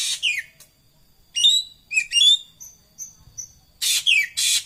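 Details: Racket-tailed treepie (ekek keling) giving loud, harsh, scratchy descending calls mixed with clear whistled chips and short high tinkling notes in rapid uneven bursts, ending in two rasping screeches.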